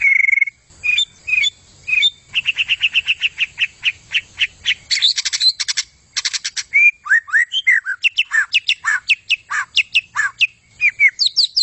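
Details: White-rumped shama in vigorous gacor singing: a clear whistle, then runs of rapid repeated notes, buzzy trills and a string of falling slurred whistles, delivered almost without pause.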